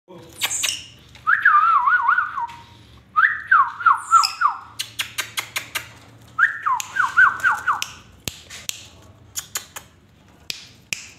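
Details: Indian ringneck parakeet making warbling whistled phrases with wavering pitch, three longer bouts mixed with sharp clicks and brief squawks, in a quiet indoor setting.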